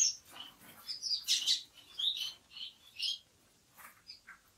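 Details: Orange-cheeked waxbill (Estrilda melpoda) producing a short run of sharp, high tweets and thin whistled notes that fade into near silence toward the end.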